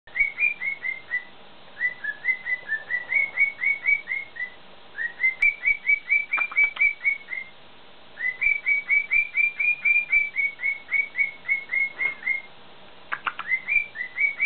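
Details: A male cockatiel doing his usual routines whistles bright, slightly falling notes in quick runs, pausing between bursts.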